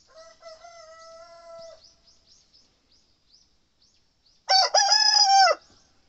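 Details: Seven-month-old male Satsuma chicken crowing in the morning. A fainter, level crow comes first, then after a pause a loud, rich crow with a rising start and a long, steady note. Small birds chirp faintly behind.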